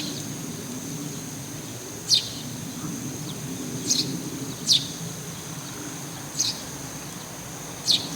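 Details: One Eurasian tree sparrow perched on a roof where it calls daily; five short, high, piercing chirps spaced unevenly about one to two seconds apart, with a faint low rumble underneath.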